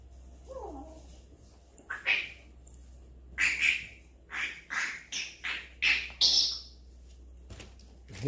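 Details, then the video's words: Pet Grey parrot screaming so as not to be forgotten: a run of harsh, loud screeches in short bursts roughly every half second, with a soft rising squeal at the start, a human voice and a steady low hum beneath. "mon Gris du Gabon crie pour ne pas qu'on l'oublie"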